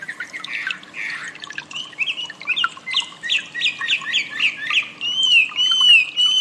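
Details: Wambi song used as master training audio for cage birds: scratchy notes give way to a run of clear whistled slurs about twice a second, ending in long high wavering whistles.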